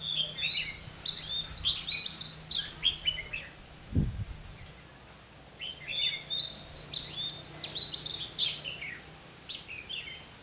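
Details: Decoy red-whiskered bulbul singing to draw wild birds toward a trap: two bursts of rapid, bright, warbling whistles a few seconds apart, with a single dull thump between them and a faint low hum.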